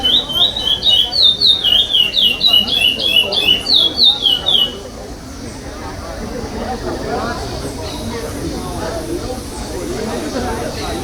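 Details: Chestnut-bellied seed finch (curió) in a 2021 state singing competition stage, singing the non-repeating 'pardo' song style and placing fifth: fast repeated whistled notes about four per second for several seconds, then loud crowd chatter and noise.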